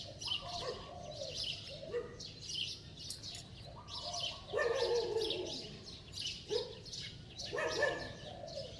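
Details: Spotted dove cooing in a ringing, bell-like voice, several low hollow phrases with falling ends, interleaved with louder chirps and calls from other birds nearby.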